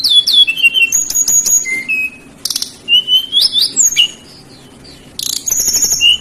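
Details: Lively sooty-headed bulbul song meant to attract other birds: rapid whistled notes sweeping up and down, quick chirp runs, and two bursts of buzzy rattling notes, with brief pauses between phrases.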